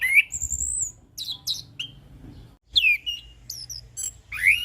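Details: Punglor, the orange-headed thrush, in a relaxed ngeplong song used as tutor and prompt: separate clear whistled phrases, some sliding downward and some rising, with short harsher notes and pauses between bursts over a faint low hum.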